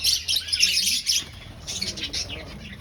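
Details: Colony finches in an aviary, breeding and looking for a nest, burst into loud rapid high chirping that then thins to softer scattered notes.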